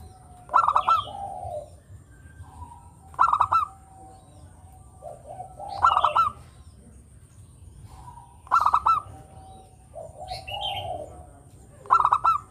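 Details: Local zebra dove singing, used as a lure for other birds: short bursts of quick, clipped cooing notes repeated about every two and a half seconds, each followed by a softer trailing coo, with a faint steady high hiss behind.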